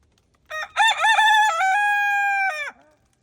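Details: Full cock-a-doodle-doo from an Araucana rooster on a farm in the snow: a few choppy opening notes, then one long level harmonic note that ends with a quick downward slur. The background is quiet.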